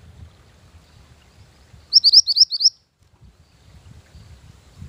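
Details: A mantenan gunung bird recorded as lure and master song for training sings a short burst of five or six quick, high, upslurred whistles after a stretch of low rumbling background noise.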